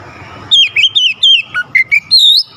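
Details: Oriental magpie-robin singing, used to stir a bird that is slow to sing: a rapid run of clear whistled notes, some sliding down, some rising, ending on a higher sustained whistle.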